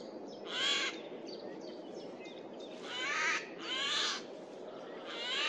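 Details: Eurasian jay calling loudly in a forest on 15 April 2024 as it flies from tree to tree: four harsh, rasping screeches, spaced unevenly across a few seconds over a steady background hiss.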